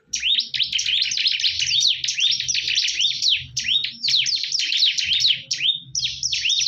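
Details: A fierce fight of bar-winged prinias. A long, dense torrent of rapid, high, zigzagging chirps carries on almost without pause. Low humming sounds are in the background.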